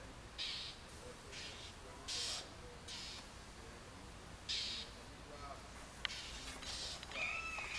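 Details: Territorial Northern mockingbird mobbing a juvenile red-shouldered hawk on the outskirts of Orlando, Florida, May 5, 2019: repeated rough, hissing chatter bursts, roughly one to two seconds apart, with a thin whistled call at the end.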